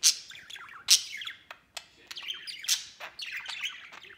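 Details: Pet white male budgerigar playing outside its cage, sometimes alongside another budgie. Busy, continuous warbling chatter of rapid squeaky chirps, wavering notes and sharp clicks, with a few louder pops.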